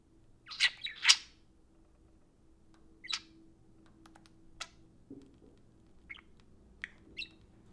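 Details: Two pet parakeets interacting indoors around an iPhone: a loud pair of harsh, rasping chirps at the start, then scattered single ticks and brief squeaky notes with pauses between.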